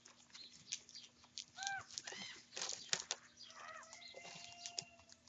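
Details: Young common ravens squabbling over food at breakfast; faint, scattered harsh calls with a few short arched tonal notes among rustling and clattering background noise.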